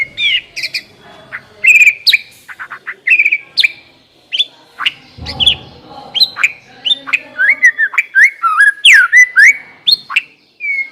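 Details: White-rumped shama song played as a lure to make a shama start singing quickly and freely: varied loud whistled and chirping phrases, rapid trills and rising and falling sweeps, with one low thud near the middle.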